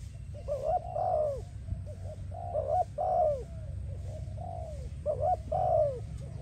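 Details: Spotted dove song for training and attracting doves: three phrases, each of short bubbling notes leading into a long, soft, falling coo, about two seconds apart, with a constant low hum underneath.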